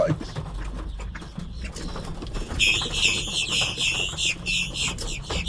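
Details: Big flock of blackbirds feeding in a parking lot in Brunswick, Georgia, in early March; after a noisy start, a dense wall of overlapping squeaky, chattering calls rises and continues, over low traffic rumble.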